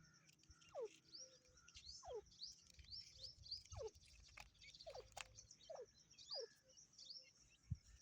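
Grey francolin chick calls: short downslurred notes, roughly one a second, under thin, high cheeping chirps, with faint background noise.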